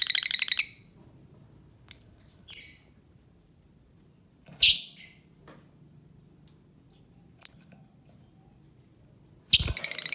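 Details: Lovebird uttering scattered shrill chirps and short screechy bursts, irregularly spaced over several seconds, with a quick rapid chatter at the start and end and a faint steady high tone behind.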